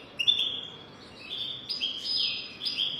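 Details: European goldfinch singing, used to tutor young goldfinches: a run of thin twittering phrases with sliding, buzzy notes rising and falling in steps over a soft background hiss.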